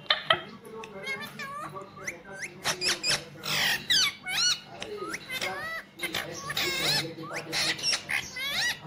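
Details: Kept rose-ringed parakeet reportedly talking 'mummy papa'; a rapid run of high, sharply rising chirps and squeaky speech-like syllables, dense and varied across nine seconds, with a low room hum.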